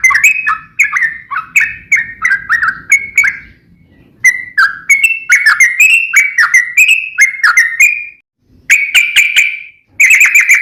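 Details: Sooty-headed bulbul song: fast rolling phrases of slurred whistles that drop and rise, a pause, then more varied bright phrases and finally clipped repeated whistles with sharp onsets.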